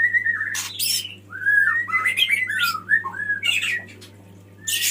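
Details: Male white-rumped shama calling a female: descending whistled phrases mixed with harsh, noisy bursts and rapid warbles, over a steady low hum.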